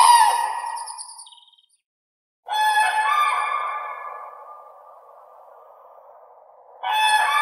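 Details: Common crane (Grus grus) calling in bold, brassy trumpet notes. A fading call opens, then silence, then a long sustained blast that softens. A fresh loud call starts near the end.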